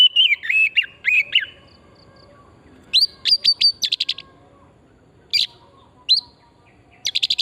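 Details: Lure song of the oriental magpie-robin, wild forest type, meant to stimulate singing: warbled whistles at first, then short rising sharp notes in bursts separated by quiet gaps, ending with a quick chattering burst.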